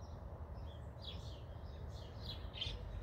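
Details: A baby American robin calling for its mother, who calls back nearby from the ground, gives three or four short, high, thin chirps about half a second apart over a steady low background rumble.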